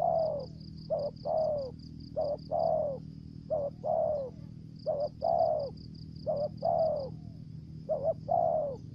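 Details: Decoy spotted dove from Trà Vinh, Vietnam, in the 'thổ dế' voice with 'dập' and 'mai rừng' style. Six phrases, each a quick two-part note followed by a drawn-out descending coo, over a constant pulsing shrill whine and low hum.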